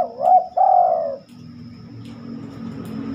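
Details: Night-time song of a spotted dove, rarely heard after dark: a quick pair of hooked coos leading into a long, descending purring note, then soft background hum.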